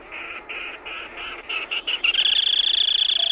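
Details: Black-tailed crake calling: a series of buzzy nasal notes repeated about four times a second, speeding up and merging into a long, loud rapid trill near the end; quiet background.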